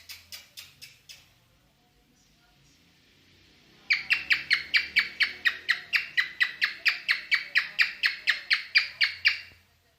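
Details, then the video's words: Cockatiel singing in mating mood: a few high chirps, a short lull with faint hum, then a long energetic run of over twenty buzzy descending notes at a rapid even pace. "the singing cockatiel"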